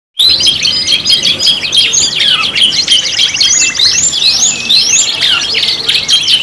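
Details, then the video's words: Canary 'pancingan' lure song, a five-in-one mix of singing canaries: dense high chirps, rapid trills and quick up-and-down sweeping whistles, continuous with no pauses. "PANCINGAN KENARI 5 IN 1 | CANARY SINGING"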